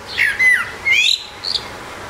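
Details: Eurasian blackbird singing alone on a rooftop: a few clear whistled phrases, some sliding downward, others rising into higher, scratchy twittering notes, followed by quiet background hiss.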